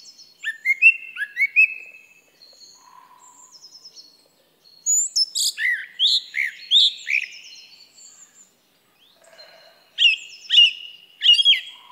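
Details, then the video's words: Song thrush song with a run of descending whistled notes, a pause, then loud, varied clusters of sharp, high chirps. After another gap comes a repeated pair of clear phrases. "Song Thrush Bird Sound"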